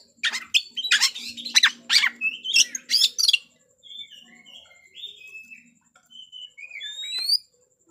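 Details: White-rumped shama song used to provoke a fighting response from rival shamas: rapid loud harsh bursts, then a softer string of clear whistled notes wavering and rising, ending with an upslurred whistle.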